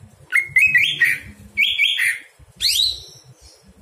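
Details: Singing at night as tutoring material for other birds, a greater green leafbird gives two rising stepped whistle phrases, then a loud downward-sweeping burst, with low humming noise underneath.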